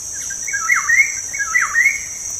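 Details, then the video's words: Black-naped oriole lure song meant to get kept birds singing: the same liquid whistled phrase, swooping down and back up, given twice about a second apart, over a continuous high cricket drone. "PANCINGAN SUARA BURUNG KEPODANG"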